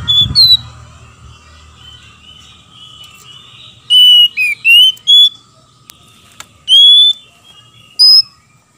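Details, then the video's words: Oriental magpie-robins, male and female singing in reply to each other; a low thump, then a quick series of varied whistled and warbling notes, then two more separate whistles, with a faint steady hum. "PANCINGAN KACER BETINA DAN JANTAN BERSAUTAN BIKIN KACER LAIN MARAH DAN GACOR"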